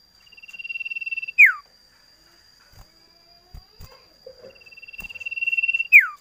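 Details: Common iora (cipoh) giving its drawn-out song: a steady trilled whistle swells in loudness for over a second, then snaps into a sharp, loud downward slur. The phrase repeats after a pause with a few soft clicks between.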